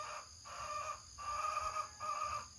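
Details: Domestic hen kept in the coop one morning with rain expected gives three drawn-out, nasal, mid-pitched calls over a faint hum; owner says she is announcing she is about to lay an egg and warning others away.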